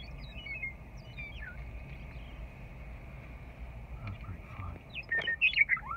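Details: A very vocal Western Meadowlark, newly returned in spring and perched close to a vehicle at Rocky Mountain Arsenal National Wildlife Refuge, gives a brief burst of clear, slurred, falling notes after faint scattered chirps, over a steady low rumble.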